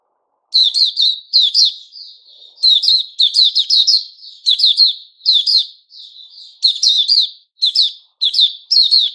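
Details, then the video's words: White-rumped shama, known locally as Puteh Raja, singing a "buka" (opening) song, recorded 29 August 2021; bright, rich, chattering high phrases in quick bursts, repeated about every second with brief pauses, in a quiet room. "Puteh Raja Sing Buka"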